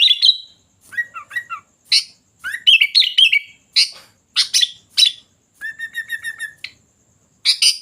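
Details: Energetic sooty-headed bulbul song with varied phrases: paired downslurred whistles, harsh chirp bursts, a long level whistle topped by fast ticking notes, and short gaps between phrases.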